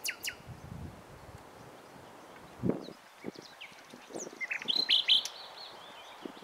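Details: Nightingale among the bushes on 27 April 2021, seen perched while singing; scattered soft notes under rustling and handling thumps, then a bright, loud warbled phrase near the end.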